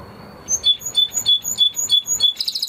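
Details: Spanish Timbrado canary song: evenly spaced clear high notes repeated about five times a second, ending in a quicker buzzy trill.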